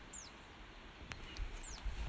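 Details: Zitting cisticola, Malta's smallest breeding bird, on coastal cliffs at Il-Majjistral Park, Malta, gives two thin, very high downslurred notes about 1.5 seconds apart, signalling its territory, over low wind rumble and a soft click.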